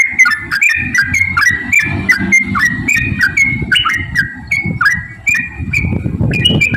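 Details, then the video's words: Lively yellow-vented bulbul song, kept as lure audio to set other bulbuls singing: a chain of short whistled notes, each dipping or sliding downward, following quickly one after another over a steady low rumbling background. "trucukan gacor TARUNG ROPEL PANJANG pancingan trucukan agar bunyi"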